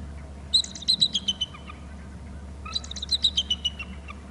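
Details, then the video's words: Bald eagle calling from a nest and territory camera on Hornby Island after flying up from below to the top of the babysitting tree: two high, thin chittering series, each about six piping notes stepping downward, over a steady low hum. "eagle from below to the top of the babysitting tree, hear calls"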